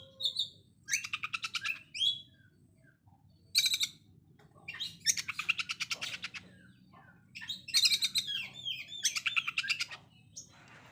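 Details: Konslet-style song of an Oriental magpie-robin, coarse fast shots compared to a sewing machine: four separate bursts of rapid stuttering pulses, each about a second long, with brief chirps between and quiet gaps.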